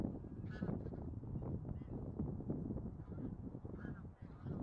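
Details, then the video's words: Continuous low goose chatter from a bean goose flock, a thick mass of honks with a few higher, nasal notes standing out now and then. "떼거리 큰기러기"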